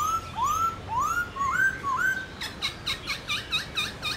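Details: Morning forest-style contest singing by a Black-throated laughingthrush: several smooth rising whistles, then a rapid series of sharp, repeated notes about four per second.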